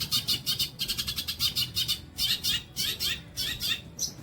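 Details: Training song of a long-tailed shrike for songbirds: fast, rasping high notes in clustered volleys, with a few short gaps between the bursts and low background noise.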